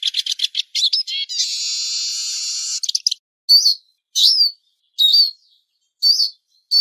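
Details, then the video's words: Eurasian siskin singing: quick high twittered notes, then a long drawn-out buzzy wheeze lasting over a second, followed by separate sharp upslurred and downslurred chirps with short pauses. "El Mejor Reclamo Lugano (Spinus Spinus)"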